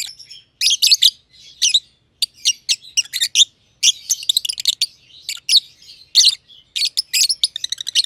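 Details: Pair of lovebirds, green personata and green pied personata, playing and calling in a simple aviary; dense high-pitched chatter of harsh chirps, squeaky whistled bits and brief rapid trills, nearly continuous throughout.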